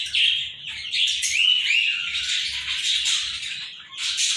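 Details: Two Indian ring-necked parakeets giving rough, raspy, drawn-out squawks that run together for several seconds, dipping briefly before a final harsh burst.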